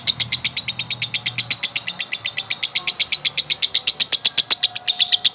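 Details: A male lovebird sings its long konslet chatter, high sharp notes rattled out about four per second in a very regular, continuous run.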